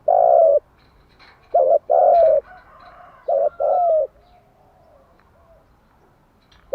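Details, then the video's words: Spotted dove singing in the morning, played to help doves learn to coo: one long coo, then two phrases of a broken short note and a drawn-out low coo, followed by quiet. "Tiếng chim gáy bài bản gáy buổi sáng"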